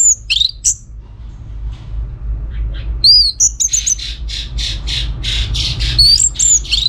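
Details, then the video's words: Orange-headed thrush song used as a lure for other birds. High, ringing whistled phrases alternate with a run of rapid, rasping pulses, then the whistles return, all over a faint low hum. "Kicauan ANIS MERAH Gacor Ini dijamin Pasti Ikut Nyaut"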